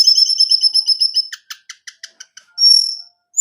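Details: Song of a caged orange-headed thrush, played to stimulate a male: a fast series of repeated high chips, then spaced clicking notes, ending in a single drawn-out high whistle.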